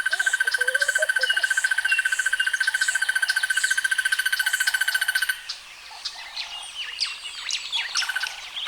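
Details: Crested barbet's rapid, evenly pulsed trill holds one pitch for about five seconds, then cuts off. After that, assorted chirps and whistles from other birds remain.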